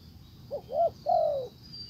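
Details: Single phrase from a spotted dove decoy luring a wild bird: a brief low note, a rising-falling coo, then a long mellow coo sliding downward, faint high tone behind.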